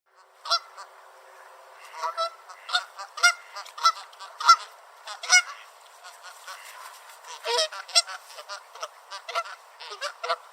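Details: Two Canada geese on a beach in Southern Ontario, Canada, chasing each other back and forth and honking loudly at one another; harsh, nasal honks come in bursts about every half second, some overlapping, with a few gaps between volleys.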